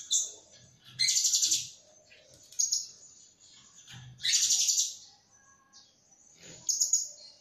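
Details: Blue-crowned hanging parrot lure call for trapping: shrill, very high buzzy bursts of rapid chattering notes near the first, fourth and seventh seconds, joined by thin sharp whistles and soft low knocks between them.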